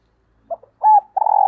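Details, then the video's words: "Thúc gù" cooing from a kept decoy spotted dove, used to stimulate wild doves: a small soft note, then a loud steady hollow coo, then a longer vibrating coo held to the end. "Chim Cu Mồi Thúc Gù Bài Bản Nghe Rất Xướng Tai, Dùng Kích Bổi Rất Hiệu Quả"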